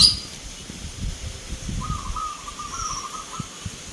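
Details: Local zebra dove at a Mentaraman-style Nglagu Ngepat song competition in Yogyakarta, 19 November 2023; one low, rolling cooed phrase over murmuring crowd and background hum, with a faint high chirp.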